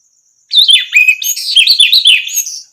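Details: Orange-headed thrush delivering a dense, varied warble of sweet whistles, rising and falling notes and quick trills for over two seconds, used as training song to draw other birds into singing. A faint high buzz is present.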